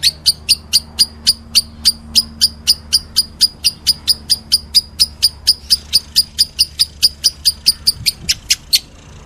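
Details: Lovebird in meloloh style, giving a long steady run of sharp, high chirps at roughly three to four per second, each note clipped and piercing, with a faint low hum underneath.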